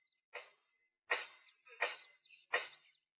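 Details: At a waterhole in Southern Africa on 5 August 2023, a Crimson-breasted Shrike in the background gives four harsh, rasping clicks in quick succession, about one every three-quarters of a second, over a faint steady high tone.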